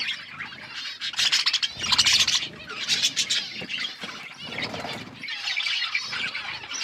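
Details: Budgies (budgerigars) eating and chirping: a dense, warbling stream of high chirps and scratchy notes, several birds overlapping throughout with brief louder bursts.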